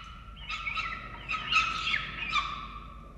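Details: Falcons during a chick feeding, Orange, Australia, 13 November 2022: short, buzzy squeals and chips in three quick clusters over a steady harmonic whine.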